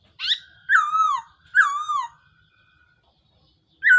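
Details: Decoy sound of the Black-throated laughingthrush for catching birds: a short harsh note, then two long, wavering whistles that slide downward, followed by silence and the start of another note.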